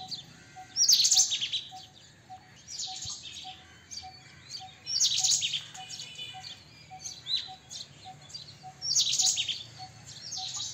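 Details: White-throated kingfisher, also called white-breasted kingfisher: loud, harsh, high screeching bursts near 1, 5 and 9 seconds, with softer chatters between. A faint, steady low pip repeats throughout.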